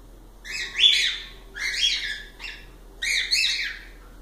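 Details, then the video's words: Cockatiels singing: three harsh, harmonic calls, each rising then falling, spaced about 1.3 seconds apart and separated by quiet gaps, with a faint low hum underneath. "Calopsitas Live de Agradecimento aos 500 Novos Inscritos Canto dos pássaros ASMR"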